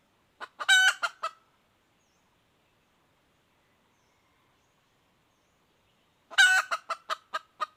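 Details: Calling hen red junglefowl: a raspy squawk trailing into four or five quick clucks, a long silence of five seconds, then the same harsh note and cluck series again.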